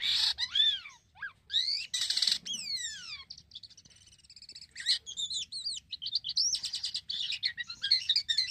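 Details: Black-winged myna in lively song, used as a lure to make other mynas sing. It opens with loud, clear descending and rising whistles and harsh buzzy blasts, pauses briefly, then breaks into rapid chattering warbles and squeaky notes.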